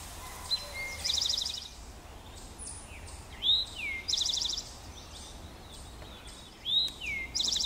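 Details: Male eastern towhee at Pleasant Valley Wildlife Sanctuary, Lenox, MA, 26 June 2024, singing: short slurred notes followed by a bright, rapid trill, repeated every few seconds, over a soft background hiss.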